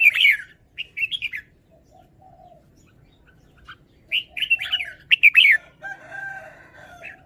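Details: Caged red-whiskered bulbul showing off its song phrasing: bright, quick whistled phrases of three to five notes, rising and falling, in bursts separated by short pauses, with soft lower warbles between.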